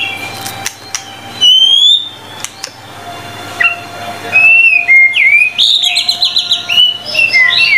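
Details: White-rumped shama in full, energetic song as tutor material: scattered sharp notes and long clear whistles, building into a fast run of rich, varied warbled phrases with rapid repeated notes, over a soft background hum.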